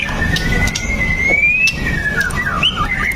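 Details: A white-rumped shama sings as a lure for other shamas: one long, gradually rising clear whistle, then shorter falling and rising slurs, with soft background noise.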